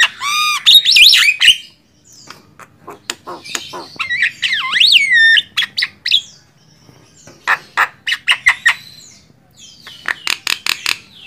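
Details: Javan myna singing, recorded as master material for training songbirds: a ringing harmonic note, a wavy whistled phrase that swoops up and down, then scattered sharp clicks and a closing burst of fast chatter.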